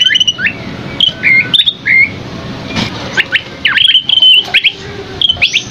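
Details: Scaly-crowned babbler song of bright whistled notes, some sliding upward and others dropping, delivered in quick irregular bursts with short gaps, against faint background hum.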